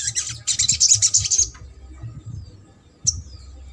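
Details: Sogok ontong song played to stimulate a silent or lazy sogok ontong to sing: a fast, dense, buzzy high-pitched trill for about a second and a half, then quiet and one short descending note.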